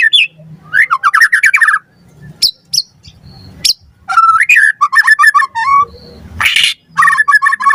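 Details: Lure recording of white-rumped shama song for training captive birds: rapid repeated trills, sharp clicks and varied whistled phrases, with a harsh noisy burst near the end.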